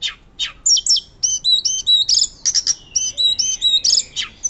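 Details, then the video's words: Hill blue flycatcher delivering loud, fluting 'nyuling' song for use as a training master: a few sharp high notes, then a busy run of paired whistled phrases and short trills repeated back to back. "Tledekan Gunung Gacor Nyuling Keras"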